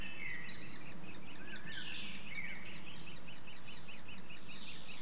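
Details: Great spotted woodpeckers feeding young at a nest-hole in Clyne Woods, Swansea, Wales, in May 2014; a steady, rapid, high-pitched chattering of pulses runs throughout, several per second, mixed with brief chirps from other woodland birds.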